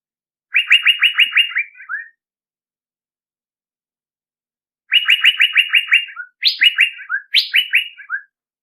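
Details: Lure call of a male Asian fairy-bluebird, given in three bursts: rapid strings of clear slurred whistles ending in lower drawn-out notes, the later phrases opening with a sharp high upward note, separated by silence.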